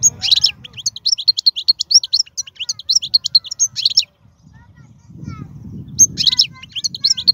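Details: Wild-type European goldfinch singing, described as a strong singer: fast, high twittering phrases of buzzy notes and short trills, a pause with low rumbling background, then another burst of twittering.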